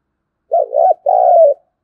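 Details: Spotted dove giving a "thúc gù" urging coo in the native-field voice style, used as a lure for wild doves: two short hollow notes, then a longer sustained mellow coo, clean and close, no other sounds.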